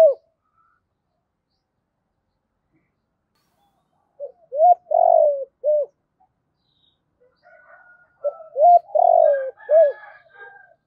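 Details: Decoy spotted dove cooing in giọng thổ style, two complete phrases about four seconds apart, each of hoots around a long tremulous falling coo, with faint higher chirps of other birds during the second.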